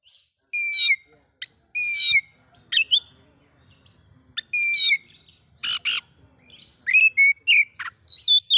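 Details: Oriental magpie-robin song meant to rile rival magpie-robins: loud whistled slurs and downward-sliding notes alternate with scratchy chattering bursts, with faint low background noise between phrases.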